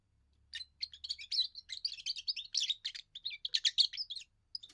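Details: Young European goldfinch giving its first song, used to defend territory and attract females: a fast, continuous twittering run of bright, tinkling notes and short trills, lasting about four seconds with a brief hum at the start.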